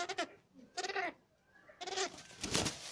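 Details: Cabot's tragopan, said to fight fiercely, giving three short harmonic, bleating wails about a second apart, each slightly wavering, followed by a harsh broadband rustling burst near the end.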